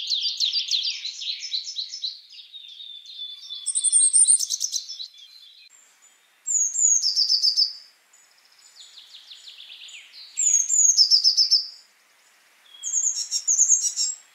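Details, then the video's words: A wild great tit runs through varied phrases: rapid scratchy chatter, thin high whistles and quick descending notes, in bursts of one to two seconds with short pauses between. "VARIASI SUARA BURUNG GELATIK BATU (GREAT TIT)"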